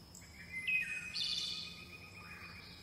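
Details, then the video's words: Flying chickadees: thin, high whistled notes from a chickadee, broken by a short buzzy burst midway, over a faint steady hiss. "Flying Chickadees Sound"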